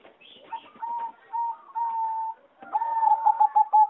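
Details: Singing zebra dove from competition breeding, heard in an aviary on 26 April 2014. It gives several held whistled coos separated by pauses, then a louder quick run of clipped notes on the same pitch.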